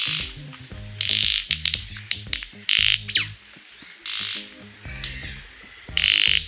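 White-bearded Manakin giving loud, sharp snaps and short buzzy rattling bursts at an irregular pace, over a faint low tonal hum.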